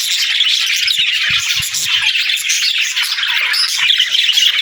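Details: Budgerigars, said to be talking and singing: a dense, continuous wash of high chirps, squeaky warbles and squawky notes, many birds overlapping with no pause, steady in loudness throughout.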